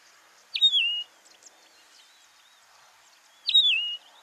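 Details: Yellow-throated longclaw calling in the Masai Mara, Kenya: two loud whistled notes about three seconds apart, each a sharp high rise dropping into a slurred falling whistle, over quiet background.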